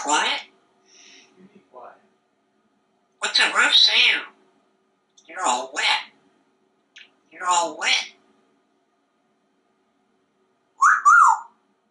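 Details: Pet African grey parrot in a Texas home, hatched in 1997, talking while pretending to write a letter and telling everyone to be quiet. Several bursts of raspy, speech-like phrases with pauses, and a brief higher squeak at the end.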